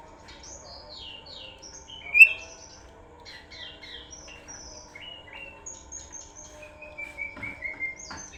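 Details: Oriental magpie-robin song used as a lure (pancingan). Varied sweet whistles and rapid chattering phrases, high-pitched, with one loud sharp note near two seconds and long thin slurred whistles toward the end. A faint steady hum runs underneath.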